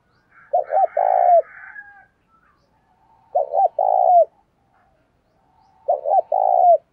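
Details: Spotted dove kept as a lure bird, calling to attract other doves. One low phrase repeats three times about every two and a half seconds: two quick notes, then a long, throaty coo falling at the end. The first phrase has a faint husky overlay.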